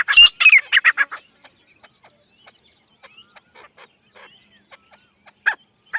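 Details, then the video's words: Grey francolin, known locally as desi teetar: a loud, harsh burst of rapidly repeated notes fills the first second, followed by faint scattered clicks and soft notes, with one louder call near the end. "Desi gery francolin partridge love💞 teetar ki zabardasth sound effect"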